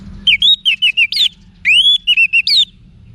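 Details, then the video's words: Orange-headed thrush (anis merah), kept in northern Bali for training cage birds; two clear phrases of looping whistled notes, each opening with a rising slur and closing with a buzzy rough note. "ANIS MERAH Manapun Bakal Nyaut Berani Untuk Figther Saat Didengarkan Kicauan Wiksar Ini"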